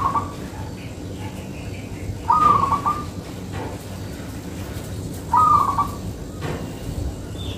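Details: Local perkutut, the zebra dove, singing for luring other birds: two rolling trilled cooing phrases about three seconds apart, with faint distant chirps and a steady low hum in the background.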